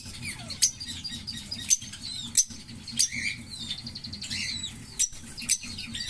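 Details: Green Fischer's lovebirds, a pair, make scattered high squeaky chirps and short twittering runs, punctuated by louder sharp clicks every second or so.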